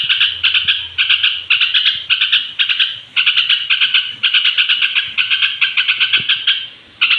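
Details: Trucuk, or straw-headed bulbul, singing before sleep to provoke other bulbuls, giving loud, fast chattering phrases almost continuously, with a short pause near the end.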